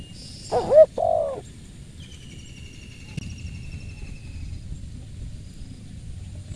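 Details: A spotted dove gives a brief two-note coo, an upslurred hoot followed by a rounder one. After that comes quieter ambience with a faint high thin whistle trailing off.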